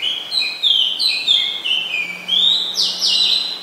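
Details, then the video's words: Oriental magpie-robin, a very common resident, recorded in Ubon Ratchathani, Thailand, on 20 September 2022 with a Nikon P1000. Clear whistled phrases mix steady notes and quick rising and falling slurs. Each phrase is repeated with short pauses, over quiet background. "นกกางเขนบ้าน (Oriental Magpie Robin)"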